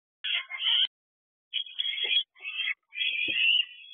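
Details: Owlet in a nest box, able to fly, filmed after midnight in late June during a food delivery: harsh hissing screeches in broken bursts, the first two choppy, the last one long, with brief low knocks between.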